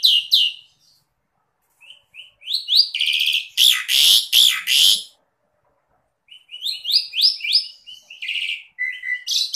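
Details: Asian pied starling, a masteran recording for training kept birds to sing gacor in the 'dor dor' style. Bursts of high rising chirps and harsh buzzy notes, a loud grating phrase near the middle, then pauses and another run of chirps.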